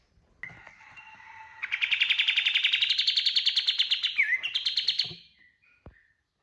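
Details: Kapas tembak bird in a gacor lure song for training birds, full 'tembakan' style: a soft note, then a fast, buzzy trill of rapid pulses rising slightly over three seconds, ending with a brief dip and short closing chirps.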